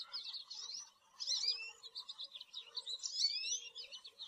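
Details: American goldfinch singing a varied, jumbled series of high twitters, trills and slurred whistles, some rising sharply, delivered continuously with a brief gap near one second; soft low hum in the background.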